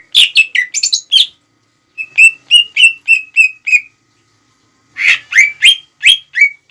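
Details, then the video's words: Lure song of a greater green leafbird to stir rival birds: three short bursts of quick, chirpy whistled notes separated by pauses, the middle phrase an even run of similar notes. "PANCINGAN CUCAK IJO GACOR CEPAT MEMANCING EMOSI LAWAN"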